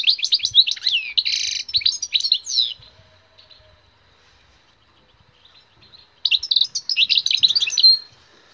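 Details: Wild European goldfinch singing for listening and stimulation: a fast jumble of sweet twitters and chirps with one harsher buzzy note, then about three seconds of quiet before another rapid tinkling phrase.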